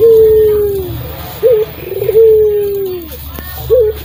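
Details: Local Barbary dove, a vigorous caller used as training audio for songbirds, uttering a long low droning coo that slowly falls. Short clipped notes follow, then another drawn-out coo, over a low hum.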